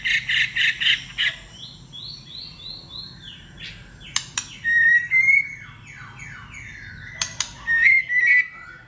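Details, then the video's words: White-rumped shama in competitive, many-voiced singing: a burst of rapid buzzy notes, then descending runs of thin whistles and a clear rising whistle, broken by sharp clicks, with a soft low hum behind. "chòe lửa hót đấu"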